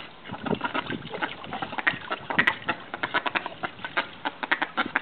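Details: Australian call ducks (bantam mallards) flirting and mating chatter in quick, nasal, repeated quacks, several per second, overlapping as if from more than one bird.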